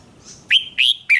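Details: Red-whiskered bulbul urged into duel singing, three crisp, loud whistled notes, the first sliding up and holding, the second fuller and buzzier, the last short and clipped, over a quiet background.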